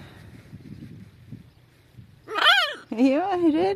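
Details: Talkative macaws kept as pets, outside for about two hours on a sunny, nearly windless February day. Soft low rustling, then two loud, hoarse, wobbling squawks, the second drawn out and quavering.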